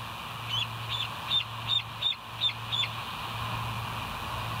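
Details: Bald eagle at the West End nest, recorded on a live camera on 19 July 2023 around 05:03: seven soft, high, thin chittering notes evenly spaced, over a steady background hum.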